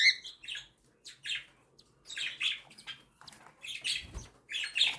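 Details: Cockatiel chicks, one newly hatched and others seven days old, calling as their mother feeds them indoors; raspy high chirps in short bursts with gaps, plus soft rustling.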